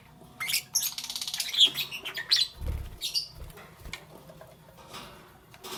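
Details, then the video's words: Pet lovebird chirping in the morning: a dense cluster of high squeaky chirps and twitters over the first three seconds, a brief low thump, then sparse faint chirps fading out. "Lovebirds Chirping Sounds"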